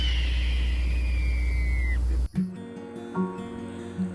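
A single long, hoarse scream from a Red-tailed Hawk, slurring downward for about two seconds, then giving way to plucked music over a low rumble.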